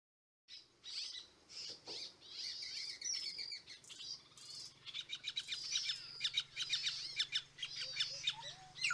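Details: White-fronted woodpecker (Melanerpes cactorum) at Mariscal Estigarribia, 9 August 2022, giving a busy run of high, sharp chirps and chattering notes over a steady low hum.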